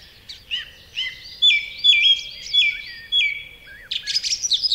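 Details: Song thrush song, strident and full-whistled: a dipping whistled note repeated four times at about one per half second, then a rapid rattling burst of high notes at the end.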